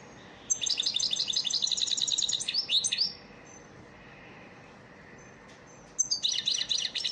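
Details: European goldfinch training song in the elmacık style, used as a lesson for caged birds: bright, rapid twittering trills with buzzy and tinkling notes, a long phrase followed by a pause and then a second burst.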